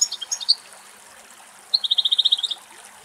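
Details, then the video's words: European goldfinch, one of two males drinking at a forest spring in Greek nature; a short tinkling phrase followed by a rapid even trill of about a dozen high notes, with faint running water behind. "Κελάηδημα Καρδερίνας"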